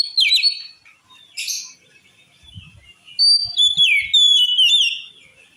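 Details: Oriental magpie-robin song, said to trigger rival males: a loud falling whistle and harsh buzz, a quiet stretch, then bright descending whistled notes with high chirps, a few soft low thumps.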